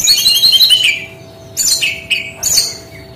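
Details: Brown-chested jungle flycatcher in its distinctive singing style: a dense run of rapid twittering notes sliding downward, followed by short separate bursts of sharp, descending chirps after a pause; low steady hum in background.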